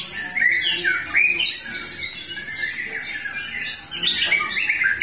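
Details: White-rumped shama singing after moulting: loud, slurred whistled phrases rising and falling, mixed with harsher, squawk-like notes in a short, continuous outburst.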